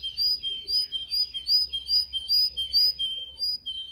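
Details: Canary singing for song training: evenly repeated slurred whistles alternating between two pitches, about three a second.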